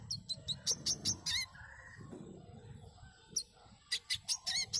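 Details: Lure song of a manggar bird meant to get birds singing: rapid, sharp high chirps in two clusters separated by a brief pause, with a soft lower trill between them.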